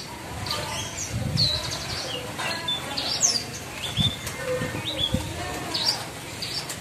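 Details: Branjangan trotol, a captive bush lark, in an ombyokan session with its varied fill-in phrases. Quick high slurred whistles and chirps come in irregular bursts over soft low thumps and background noise.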